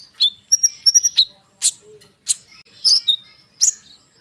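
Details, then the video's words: Konin bird in full song, used to lure sunbirds into responding: bursts of sharp, high chirps and short whistled notes in clusters separated by brief pauses, with background music and a voice faintly present. "konin gacor ngerol suara rapat untuk pancingan kolibri"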